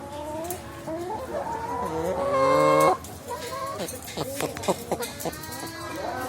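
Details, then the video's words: Chickens in a car, about to be slaughtered; one long, loud, strained squawk swells then cuts off, followed by short scattered clucks and clicks. "Ayam Naik Mobil Siap disembelih (Suara ayam)"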